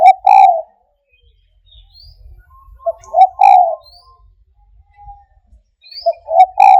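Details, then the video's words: Spotted dove with a fine cooing voice: three-part coos, a short note then a fuller drawn coo, repeated about every three seconds, in quiet surroundings with faint small chirps between. "TEKUKUR SUARA MEWAH"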